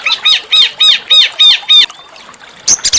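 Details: Small songbird master song aimed at making oriental magpie-robins sing: six evenly spaced arched notes, rising then falling, about three a second, a brief pause, then a quick burst of chatter.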